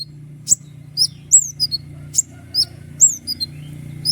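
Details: Lively common iora song prized for sharp accents: high downward-sliding whistles and clipped chips every half second or so, over a noticeable low background hum.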